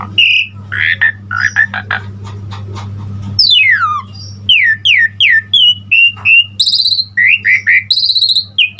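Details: Asian pied starling singing in full-fill-in fashion: harsh chatter and clicks over a low hum, then falling whistled sweeps, short repeated upslurs and high buzzy squeals.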